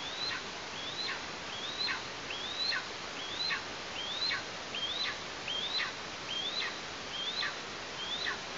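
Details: Nestling Eastern imperial eagle in Tatarstan on 16 August 2023 calls steadily, eleven high whistles in about eight seconds, each climbing then falling in a quick slur, over constant background hiss.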